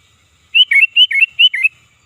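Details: Sooty-headed bulbul, loud and lively, used to lure birds: three bubbly phrases of three fluty notes each, bouncing between high and slightly lower pitches, delivered in quick succession over about a second, with a quiet background.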